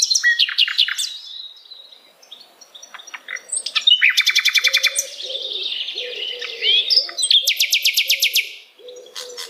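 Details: Flycatcher singing cheerfully at dusk: a varied, lively song of high chirps, whistled notes and fast buzzy trills in bursts, with lower repeated hooting notes from another bird underneath.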